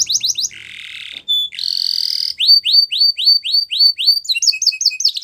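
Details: Singing yellow canary in the morning: a few sharp chirps, a buzzy rasping roll, a thin pure whistle, then a run of evenly spaced rising swept notes and a quick closing trill.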